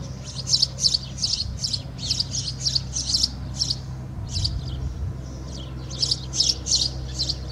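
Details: At Alikes, Kitros, Greece, a house sparrow sings into a swallow's nest with a fast string of loud, high chirps, several per second, pausing briefly midway before resuming; faint low hum beneath.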